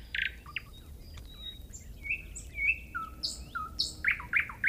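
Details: Nightingale song with quick, varied chirps and whistles, some sliding down and some sharp, delivered in a fast, busy run over a faint low rumble.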